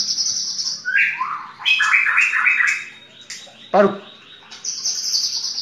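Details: White-rumped shama delivering a full 'tembakan' song, opening and closing with a sustained high buzzy trill around rapid warbled chatter and a single sharp descending note. A steady low background hum runs throughout.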